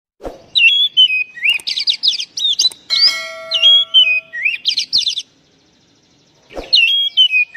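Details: White-rumped shama, a lure recording meant to provoke stressed or silent birds into singing; loud whistled phrases with rapid up-and-down sweeps, bursts of quick notes and sliding whistles, separated by a short pause.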